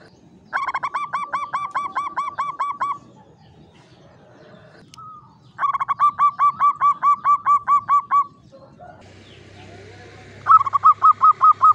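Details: Javanese zebra dove, a local bird in a classic Mataraman cage, with klowongan-style song: three long volleys of rapid, ringing coos with pauses of a few seconds between them, and faint low hum in the gaps.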